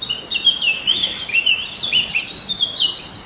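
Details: At a common kingfisher nest on a May 2013 morning, the male arrives to feed the young while the female tries to get out. A continuous stream of high, wavy, chattering calls runs through, loud and unbroken.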